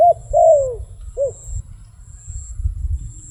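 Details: Wild dove utters a short coo, a longer falling one, and another short coo, then only a low rumbling background remains.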